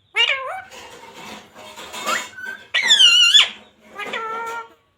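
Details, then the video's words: Talking parrot said to repeat radhe radhe, jai shree ram, sita ram and mummy papa; squeaky, nasal, speech-like utterances with sliding pitch come in three or four bursts, the loudest a high warbling phrase, indoors. "Parrot talking radhe radhe | Parrot talking jai shree ram | Parrot talking sita ram | Mummy Papa"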